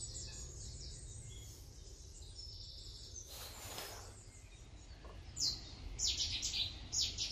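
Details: Common kingfisher (Alcedo atthis) at Warandeputten in 2018: a run of short, thin, high-pitched whistles near the end, following a quiet stretch with a brief broadband rustle, over steady low background rumble.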